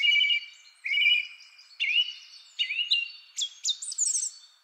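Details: Song Thrush male, the first of three, giving long complex phrases: a run of whistled motifs, each repeated, stepping upward in pitch toward shrill high notes at the end.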